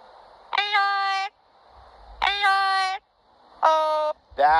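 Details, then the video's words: A double yellow-headed amazon parrot sings Old McDonald in a rich, human-like voice: three long, held notes with a short gap between each, then a brief wavering fourth phrase. "Singing Parrot Old McDonald’s"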